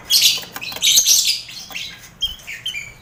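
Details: Mixed colony cage of lovebirds, finches and quail, a training recording for contest lovebirds: two bursts of harsh high chattering, followed by short clear whistled and chirped notes.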